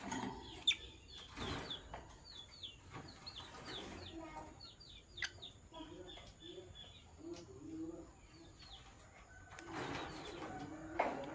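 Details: Morning chirping of sky blue opaline and green opaline lovebirds: rapid runs of short, high, downslurred chirps in quick series for about six seconds, then softer lower notes and knocking sounds, over steady background hum.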